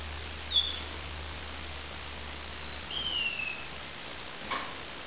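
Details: Lavender waxbill song at dawn: a few very high, thin whistles, one a long downward-slurred note, over a faint low hum and a soft click.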